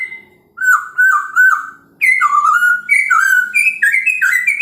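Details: Chinese hwamei in morning song, played to provoke other birds: repeated slurred whistles dropping in pitch, then a lively sequence of rising and falling whistled notes climbing gradually higher.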